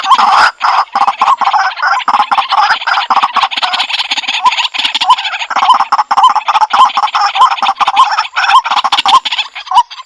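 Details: Dense harsh croaking of a white-breasted waterhen, locally kuro-wakwak, through a Bluetooth speaker: rapid overlapping rasping notes with small rising inflections, running almost without pause.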